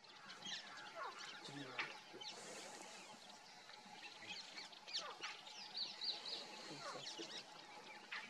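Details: Grey francolin (Francolinus pondicerianus) in dry grassland at Hinauta, Panna National Park, central India, giving the soft covey contact clucks in quick irregular bursts, mixed with other birds' high thin notes and a steady background hum.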